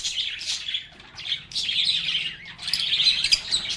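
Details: Flock of lovebirds singing and playing, a steady wash of high, buzzy chirps and twitters that dips briefly, then returns louder.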